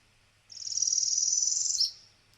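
Northern Parula song: a high, buzzy trill rising slightly over about a second and a half, ending in a sharp, higher chip. A faint low hum lies underneath.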